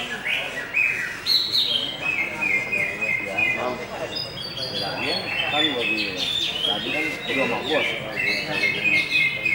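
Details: Lively greater green leafbird song of varied whistles and quick chirps, some notes sliding downward, delivered in bursts over a steady background of human chatter.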